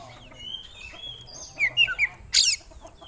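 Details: Oriental magpie-robin singing its repertoire: soft drawn-out whistles, then three quick clear whistled notes and a loud harsh rasp, over a low hum.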